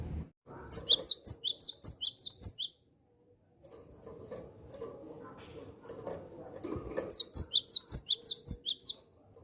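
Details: Javan sparrow, a lively captive bird used to call in wild Javan sparrows, giving two bursts of rapid high, thin chirping notes, each burst lasting about two seconds, separated by a quiet stretch with faint low background noise.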